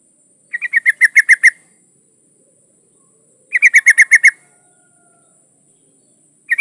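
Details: Female yellow-vented bulbul in breeding condition, calling a male: two matching bursts of about eight rapid, grating chatter notes a few seconds apart, with a third burst starting at the end.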